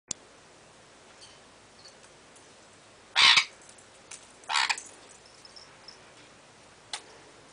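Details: Pet sun conures playing on a jungle gym; one gives two loud, harsh, raspy screeches a second or so apart, with faint clicks between.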